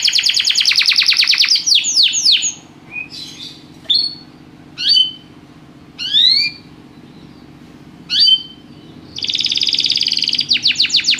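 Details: Canary singing with pauses: an opening rapid trill of falling sweeps, then short separate rising whistles and chirps spaced by silent gaps, finishing with a dense buzzy trill; steady low background hum.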